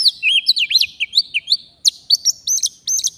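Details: Oriental magpie-robin, a forest bird recorded while being lured for trapping. It sings a fast series of loud, clear whistled notes, each swooping up or down, repeated in quick succession with tiny gaps between them.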